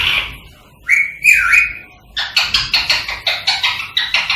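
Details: Green Indian rose-ringed parakeet whistling, chattering and clicking, a sound meant to stimulate singing and mating: a squeaky falling note, two drawn-out whistles, then a rapid run of about ten clipped chattering notes.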